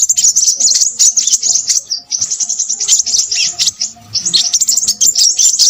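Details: Crimson sunbird in an excited, noisy song: streams of thin, very high chattering notes in quick succession, split by two short pauses.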